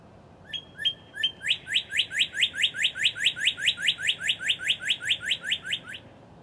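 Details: Northern Cardinal singing along Beargrass Creek in Kentucky: three level, clear whistles, then a long, steady string of around twenty-five rising slurred notes delivered rhythmically at about four per second, over soft background noise.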